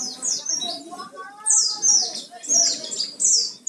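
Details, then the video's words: High, rapid descending chirps from an Oriental white-eye used as a singing lure, in short bursts about every second, over a low murmur of voices and a steady hum. "Pancingan suara pleci gacor full isian"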